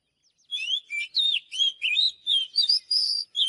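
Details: Oriental magpie-robin song: a steady string of loud whistled notes, slurred up and down and mixed with higher twitters, about three per second.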